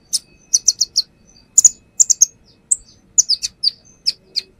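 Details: Brown-throated sunbird (konin), settled on a perch and singing its repertoire as a lure: clustered high chirps with a few downward-sliding notes, in uneven bursts.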